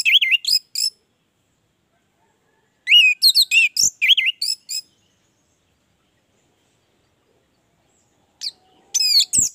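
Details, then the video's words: Orange-headed thrush delivering separate song phrases between silent gaps, each a quick cluster of bright, looping, slurred whistles and high chirps, some notes swooping up and down. "Anis merah gacor"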